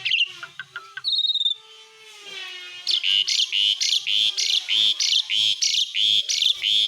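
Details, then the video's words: An Asian pied starling in lively besetan isian song with copied bird voices: scattered chips and a short whistle, a drawn-out buzzy phrase, then a run of loud harsh notes repeated about three times per second. "ISIAN BESETAN JALAK SUREN GACOR🛡️SIAPKAN SUARA BANYAK BURUNG"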